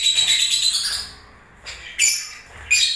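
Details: Breeding-season lovebirds: a shrill squeaky chatter for about a second, a pause, then two brief sharp chirps.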